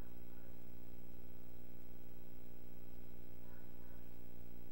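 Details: A constant low electrical hum with stacked harmonic tones and faint hiss runs throughout, and no animal call can be picked out.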